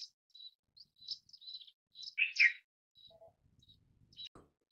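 Indian silverbill giving thin, high chirps in quick irregular bursts, with a lower buzzy double note midway; a faint murmur and a sharp click sound near the end.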